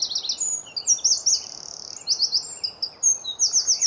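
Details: Eurasian wren singing from a tree early on a spring morning in Hampshire, UK, filmed with a Nikon D500; rapid, high, tinkling trills and buzzy runs pour out almost without pause, against a soft low background hiss.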